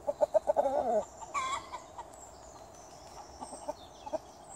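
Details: Garden chickens open with a rapid run of short, even clucks lasting about a second, then scattered softer clucks and a squawk against low background noise.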